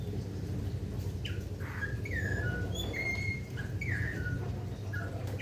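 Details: Rare Golden myna from Papua, praised as melodious, sings a string of clear whistles and downward-sliding notes, some rising sharply first, spaced under a second apart against steady low background rumble.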